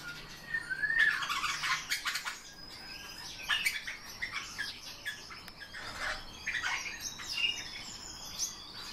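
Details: Captive Eurasian bullfinches with soft piping whistles repeated every few seconds, mixed with busy chirping, fluttering and rattling clicks.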